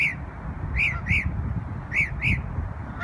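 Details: New York bird on Memorial Day sounding slow, arching high notes in pairs, spaced about a second apart, with a soft low rumble behind.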